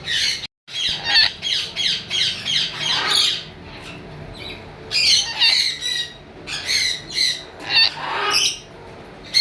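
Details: Lory parrot giving harsh, buzzy squawks in repeated bursts of about half a second, loud and high-pitched, with a brief silence near the start and short pauses between calls.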